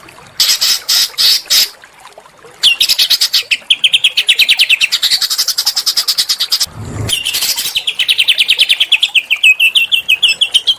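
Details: Small-bird training recording used to provoke murai batu (white-rumped shama) singing: short high chirp bursts, then long buzzy rapid trills running for several seconds, interrupted by a brief low thump.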